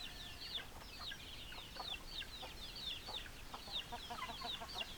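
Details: Many chickens give steady overlapping short high notes, a busy chatter without breaks, with occasional lower clucking sounds.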